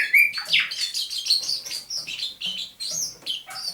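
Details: Dawn song of a caged thrush nightingale trapped near Saint Petersburg in May 2019, recorded 27 November 2021: dense, loud, high-pitched phrases of rapid sweeping whistles and harsh chattering notes following one another with barely a pause.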